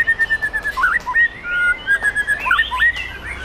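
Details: White-rumped shama from Sumatra with forest-origin lineage, competing at a songbird contest ring in Bengkulu after winning championships: clear whistled phrases near steady pitch, broken by quick rising and falling flicks and short slurred notes, with other birds faint behind.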